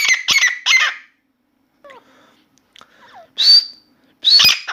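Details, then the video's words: Grey francolin (Dakhni teetar) singing indoors, a newly started bird calling continuously: three harsh chattering phrases, a quiet gap with faint soft notes, then two more loud strident calls. "Grey francolin Dakhni Teetar song"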